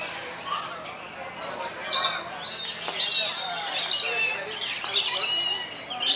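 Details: Lorikeet at San Diego Zoo Safari Park giving sharp, high squeaks and chirps in short bursts about once a second, over background chatter from visitors.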